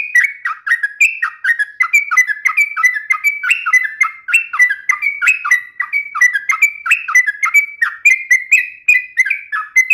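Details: Lively sooty-headed bulbul in non-stop uplik, nembak and ropel song: fast, rolling chains of bright slurred whistles, each dropping in pitch, closely packed throughout.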